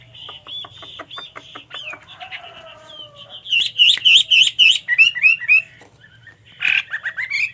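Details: Chinese hwamei (Garrulax canorus) singing a loud, varied run of clear whistled phrases, some rising and slurred, repeated three or four times a second, with a brief harsh burst near the end.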